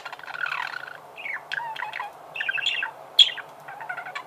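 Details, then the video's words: Steady budgerigar chirping: a soft twittering warble of short buzzy notes and clicks with one sharp high squeak. "Чирикает волнистый попугай"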